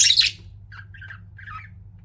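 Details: A pet budgie gives one loud harsh squawk, followed by three soft, short, warbling chirps spaced evenly, with a quiet background hum.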